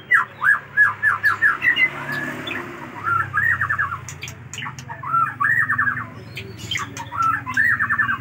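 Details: Aceh white-rumped shama singing an extended, richly filled song: clipped whistled notes repeated in fast bursts, pausing between rattling phrases of similar notes, over a low steady hum.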